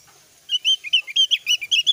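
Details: Oriental white-eye, Javan type, singing a lure song meant to prompt other white-eyes to answer: a fast run of bright, high chirped notes rising and falling, about a dozen in under two seconds, clean with no other sounds.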